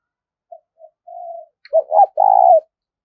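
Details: Spotted dove cooing for luring birds to a trap: faint short coos and a soft drawn-out note lead into a loud phrase of two quick bent notes and a long rough coo.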